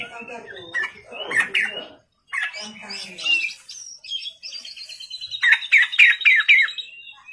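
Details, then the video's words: Night-time Oriental magpie-robin in full song: harsh, scratchy notes at first, then clearer whistles and a fast repeated series of bright, descending notes near the end. "pancingan kacer gacor malam hari"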